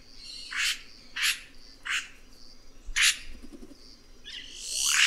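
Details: Red-rumped cacique with a string of sharp, clipped notes repeated roughly every half second, ending in a rising harsh squawk, over a rushing background.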